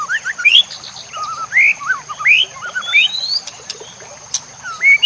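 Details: Murai batu (white-rumped shama) master song for teaching other shamas, with nature sounds and water trickling: quick, varied whistles, some looping and others rising, in short bursts with a few sharp clicks.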